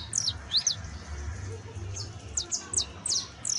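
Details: Canario basto, a juvenile saffron finch, delivering high, sharply falling chirps, some paired, about two to three per second, with steady low rumble behind.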